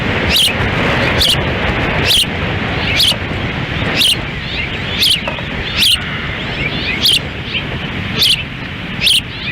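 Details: Osprey at a nest in Lolo, Montana, on June 10, 2017, during a difficult windy feeding as the female feeds at the nest with the male standing by; short high chirps repeat roughly once a second over strong, steady wind rumble.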